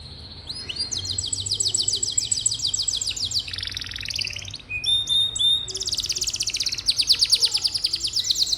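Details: Canary song meant to stimulate young or lazy canaries to sing: long, dense buzzy trills held at one pitch, switching abruptly between rolls of different speed and tone, ending in a fast rattle.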